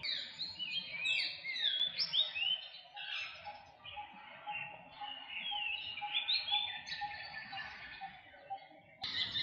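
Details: Philippine magpie-robin recorded April 14, 2022, singing and whistling: rich, rambling warbled phrases of slurred whistles and rapid twitters, rising and falling, with a brief softer lull midway and a faint steady low tone beneath.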